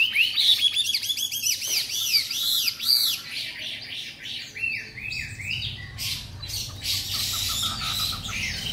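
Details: Caged three-month-old white-rumped shama in Hanoi, Vietnam, newly arrived and unbathed, singing long and sweetly: quick looping whistled notes repeated in arcs, then rich varied phrases with some scratchy bursts.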